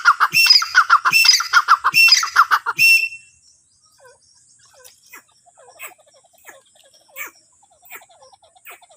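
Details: Francolin (teetar) giving a loud, harsh, rasping series of rapid notes for about three seconds. It then falls silent, leaving only faint, thin chirps from small birds in the background.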